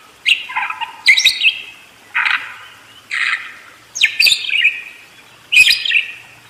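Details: Budgerigar song in a busy roll: short, grating warbled phrases about a second apart, each mixing buzzy slides with sharp clicks.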